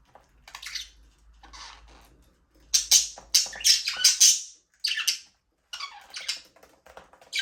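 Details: Pet budgerigars in a small aviary, playing and flying: loud, scratchy, high chirping bursts clustered in the middle, then scattered buzzy phrases separated by silences; no music.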